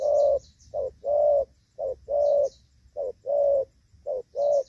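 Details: Spotted dove decoy in Vietnamese rainy-season trapping, gù vấp cooing slow low short-long pairs, with high thin bird chirps heard at moments in the background.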